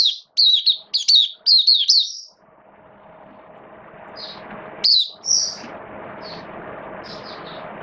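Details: Oriental white-eye, a hobby cage bird, in rainy weather on 8 October 2022, opening with two seconds of fast shrill twittered phrases, followed by steady hiss and a few sparse high chirps and short bursts.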